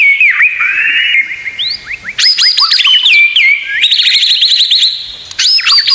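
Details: Murai batu, the white-rumped shama, singing a full 'isian tembakan' training song for tutoring other birds: rapid runs of whistled notes, steep rising strokes and a steady buzzy high passage, delivered in several loud bursts.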